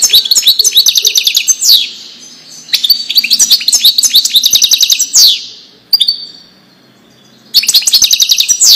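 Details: Wedani-style European goldfinch song for teaching young birds: fast, high, liquid twittering phrases with buzzy notes, broken by short pauses and a longer quiet gap before a final rapid burst.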